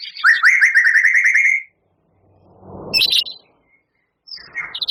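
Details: Long volley from a champion white-rumped shama, its song filled with canary, cililin and lovebird imitations: a fast string of rising whistled notes, a pause, a harsh burst, then renewed chirping.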